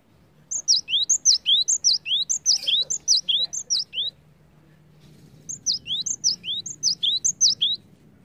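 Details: Cinereous tit song played as a lure to get other birds singing: bright high whistled phrases, each a sharp upslurred note followed by a dropping two-part slur, repeated rapidly in a bout of about eight, a pause, then another bout.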